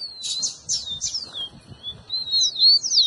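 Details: Rufous-collared sparrow song aimed at getting a pet bird to sing: buzzy rich notes open the phrase, then a long thin whistle and bright falling slurs repeated in quick succession.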